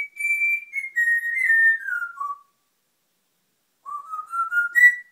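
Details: Pet African grey parrot whistling The Great Escape theme: a clear sustained whistled melody stepping downward over two seconds, a pause, then a rising phrase climbing back up, indoors and otherwise quiet.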